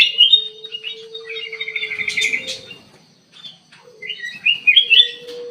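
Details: Aviary-kept ruby-throated bulbul giving bright chirped phrases and a trilled stutter, backed by a steady low hum, a quiet gap, then more warbling notes.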